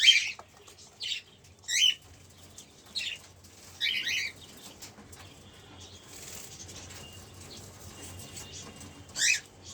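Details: Two cockatiels heard in a series of about six short, scratchy, high screeches at irregular intervals, bunched in the first four seconds, then a long quiet gap before one final call.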